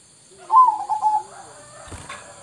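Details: Sooty-headed bulbul, played as a lure meant to make wild bulbuls answer at once; one short bubbly, warbled phrase of mid pitch, falling slightly over about a second, then a faint click.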